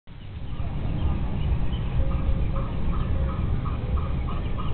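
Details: Domesticated Muscovy ducks, known locally as mentok, in a family group in Indonesia; short clipped nasal notes repeat about every half second across the clip, over a heavy low rumble of wind or handling noise.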